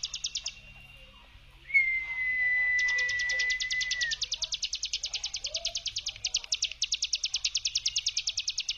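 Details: Hill prinia giving its 'brem' song, used as a lure to make silent birds sing: a steady series of rapid buzzy pulses about three per second, with a long level whistle from another source partway through.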